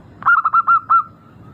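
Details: Local zebra dove song used as a lure to get birds singing quickly, described as melodious and crystal-clear: one rapid phrase of about six short, rolling coo notes lasting under a second.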